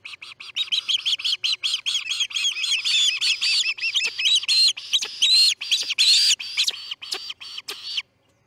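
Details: An osprey chick fledges from the Charlo nest early on August 10, 2018, calling in a loud, continuous stream of high, shrill piping notes, some rising and whistled, that slows and stops after about eight seconds.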